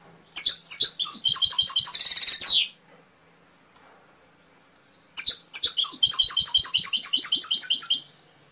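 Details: Canary song in two long bursts of rapid, high trilled phrases, each lasting about two and a half seconds. The first burst includes a dense buzzy rattle midway. A quiet gap separates the bursts.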